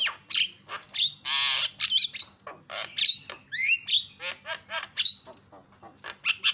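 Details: Javan myna calls meant to set other mynas calling: varied squawks, rasping bursts and rising and falling whistled notes, delivered in quick irregular succession throughout.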